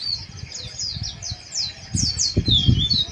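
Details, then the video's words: White-eyes in harsh ngeriwik chatter for raising breeding arousal: a string of high downslurred chirps about three per second, over low thumping and rustling noise. "Suara Pleci Ngeriwik Kasar"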